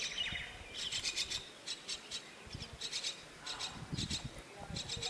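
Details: Young myna waiting in its nest box for the mother bird, producing scratchy, noisy begging calls in rhythmic clusters, about two per second, against soft low-pitched background noise.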